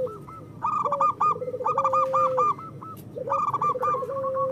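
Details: Zebra dove song from local birds, used as a prompting recording for lazy doves. A quick low trill slides into a long flat coo twice, accompanied by higher repeated cooing notes.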